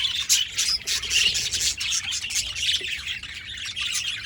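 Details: Several budgies chatter in rapid, uneven bursts of bright, high, scratchy chirps and short squawks, about three or four notes a second with no steady rhythm.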